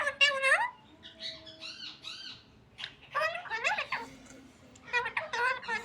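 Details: Pet parrot talking indoors: several quick speech-like syllable clusters, arched and wavering in pitch. Near-silent gaps split them into three bursts.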